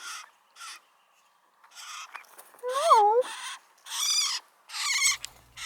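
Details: A Canada Jay whose mate had come with it gives harsh, raspy begging calls to be fed, in short bursts about every half second, with one clear, wavering whistle in the middle.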